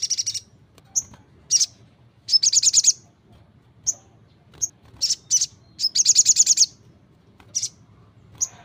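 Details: Crimson Sunbird in 'gacor' song, mixing thin, high single chips with short, rapid, buzzy trills, delivered in quick irregular bursts.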